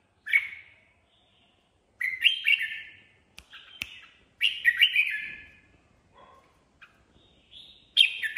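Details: Red-whiskered bulbul singing spontaneously, repeated loud chattering warbled phrases every couple of seconds, interspersed with short whistles and a few faint clicks.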